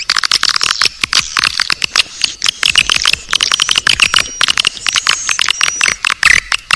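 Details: Naga Birahi swiftlet calling sound for luring the birds: rapid rattling clicks in quick series over thin high twittering and a few drawn-out whistled notes.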